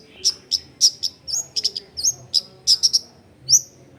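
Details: Long-tailed shrike song meant to prompt other shrikes to sing, given as a series of short, sharp, high chips and whistles, some in quick pairs and triplets, over a low background rumble.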